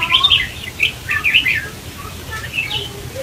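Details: Red-whiskered bulbul, a wild-caught bird, giving quick, bright chirps and warbled whistles in short bursts about once a second, over a faint low hum.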